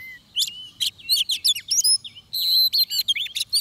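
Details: Oriental magpie-robin at a trap site, singing a fast varied string of high whistles, chirps and slurred notes, with a louder sustained buzzy phrase in the second half.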